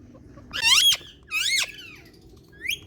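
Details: Indian talking parrot, a pet, giving two harsh high broadband squawks about a second apart, then a short soft rising note.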